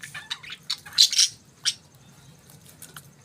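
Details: Budgies in the morning give a short burst of bright, high chirps and a harsh squeak, then fall nearly quiet apart from a few faint chirps.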